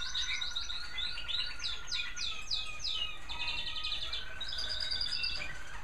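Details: Caged American Singer canaries singing in bird rooms at evening; series of fast downward-sweeping notes, then rolling trills and buzzy chatter, several birds overlapping with a steady faint hum.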